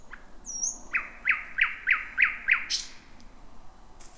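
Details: Thrush nightingale, the first heard in 2026, singing around midnight from a dense, jungle-like thicket: a high thin whistle, then six sharp ringing notes repeated about three per second, capped by a buzzy burst.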